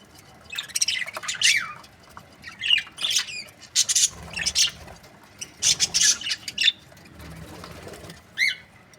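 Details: Sparser budgerigar calls from breeding pairs: separate sharp squawks and short warbled chirps, some with quick up-and-down inflections, spaced by quiet gaps of a second or so.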